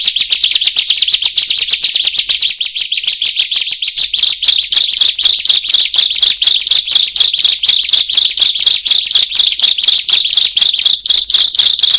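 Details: Bar-winged prinia, a loud song suited to luring birds: sharp, high metallic notes pour out in a fast even stream, about two per second, steady and insistent with no other sounds.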